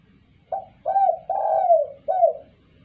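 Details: Clear calling of a spotted dove used as a lure for other birds, four soft mellow coos in quick succession, the third longest and gently falling, in a quiet setting.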